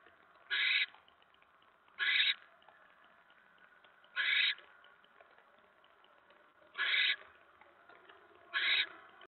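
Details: Barn owl at the nest during a mouse delivery, 10 November 2017 at 7:50 PM: five short, noisy hissing screeches at uneven gaps of one and a half to two and a half seconds, over faint low background rustle.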